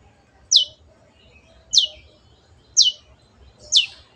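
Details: Long-tailed shrike (cendet) in lively song, used to train kept birds: four loud, rasping downward-sweeping notes spaced about a second apart over a quiet background.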